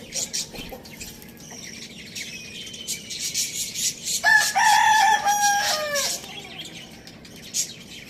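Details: Pet Lohmann Brown rooster at Lalukhet bird market, Pakistan, kept with hens, chicks and budgies: a clear two-second crow, stepping up then holding steady before dropping away, over a background of thin high chirps.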